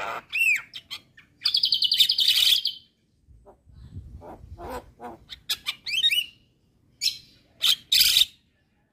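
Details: Javan myna pouring out song that is said to anger neighbouring mynas. A sweeping whistle leads into a loud buzzy trill, then scattered clicks and rasping bursts separated by brief pauses.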